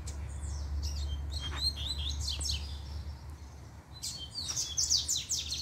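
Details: Double-collared seedeater in full puxada song: fast, varied high twitters and buzzy warbled notes in two long rushes separated by a short pause, over a constant low hum.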